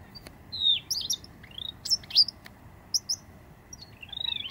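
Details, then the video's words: Displaying eastern bristlebird, endangered, near Cape St George ruins in Booderee National Park, Jervis Bay, August 2017: high whistled slurs and quick upward-sweeping notes, some loud, with sharp clicks between phrases. "Eastern Bristlebird Display - Dasyornis brachypterus"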